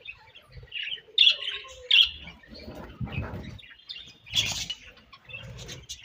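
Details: Budgies in breeding season give sharp, loud high chirps separated by pauses, mixed with softer warbling, fluttering and low thumps.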